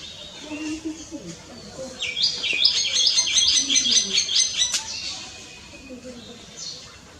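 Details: Common myna, also known as Indian myna, delivering a dense burst of rapid, harsh chattering notes with whistled overtones lasting about three seconds, alongside lower, softer warbling calls from other birds in the background.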